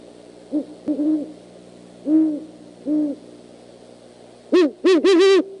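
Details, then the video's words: Great horned owl at night (11:20 PM CST, 25 January 2015) perched on the nest rails of an eagle nest, calling back and forth: four soft, low hoots over three seconds, then a burst of louder, harsher barking calls. "GHO COMES LOTS OF DIFFERENT SOUNDS"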